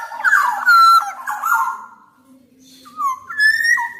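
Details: Black-naped oriole song meant to stimulate silent orioles: a loud warbled fluty phrase sliding downward, a pause, then short clear whistles stepping down and up.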